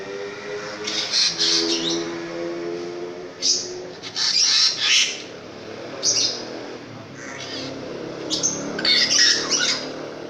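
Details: Long-tailed shrike (pentet raja), a loud-voiced, long-tailed bird in gacor singing form, delivering scattered harsh scratchy bursts and short chattering phrases at irregular intervals, with a low droning hum early on.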